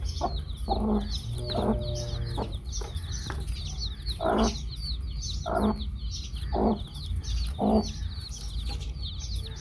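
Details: Chicks with a hen: constant high, falling peeps from many chicks, while deeper broad clucks repeat roughly every second, with a short steady hum near the second mark and a low background drone.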